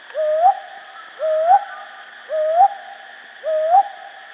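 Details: Four measured, upward-inflected hoots from a brown hawk owl at night, spaced about a second apart, each a mellow low note ending in a quick rise, with a steady buzzing hum behind.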